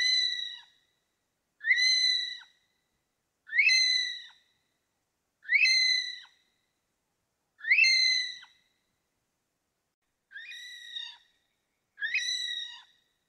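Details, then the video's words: An Okarito kiwi gives seven shrill, slightly rising whistles, each about a second long, repeated roughly every two seconds, with no other sounds. "Okarito Kiwi Sound | Okarito Kiwi Call | Okarito Kiwi Song"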